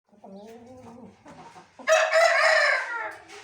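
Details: Aseel rooster gives a low, slightly falling harmonic call, then a loud, hoarse, drawn-out crow holding its pitch for over a second; chicken.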